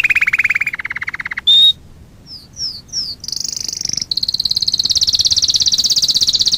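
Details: Canary singing a song for training. A mid-pitched rolled trill leads into a brief loud note, three quick high slurs, then long very high rapid trills. Faint low rumble underneath.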